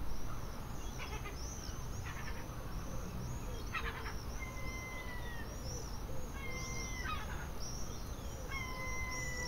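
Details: Gulls calling in an English seaside garden: bursts of harsh, stacked calls come in short groups every second or two, while another bird gives clear, steady whistled notes between them over a soft background hiss.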